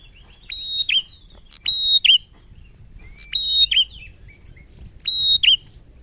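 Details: Male bar-winged prinia singing vigorously: a high, thin, slightly buzzy phrase ending in a sharp downward flick, repeated about every one and a half seconds over low background rumble.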